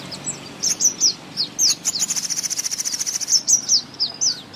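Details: Thrush nightingale in spring song: scattered high downslurred notes open the phrase, then a fast dry rattle of rapid clicks lasts over a second before the slurred notes return.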